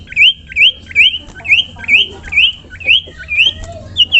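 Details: Common iora calling to prompt other ioras to sing. A loud, clear upslurred whistle repeats about every 0.4 seconds, roughly ten times in a steady run over faint low background hum.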